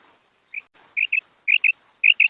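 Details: Quieter female quail kark calls: a single note followed by three quick doubled notes, with soft rustling background noise between them.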